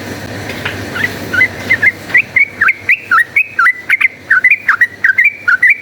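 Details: Yellow-vented bulbul chattering a rapid fighting song, used as a lure to make other bulbuls into fighters: a steady run of short bubbly whistled notes, alternately dipping and rising, about three per second, with faint background hum.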